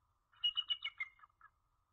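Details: At a Jordan Lake nest on a January evening in 2013, a female bald eagle calls for her mate: one quick run of squeaky, high piping notes that slides downward and trails off in a brief final note.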